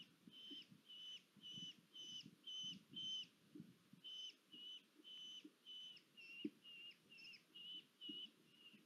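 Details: Red-footed falcon female bringing food to the nest at Polgár, Hungary, 1 August 2022. Sharp whistled notes come in quick succession, with about six in a first burst, a brief pause, then about twelve more, some slightly bent. There is a soft rumbling background.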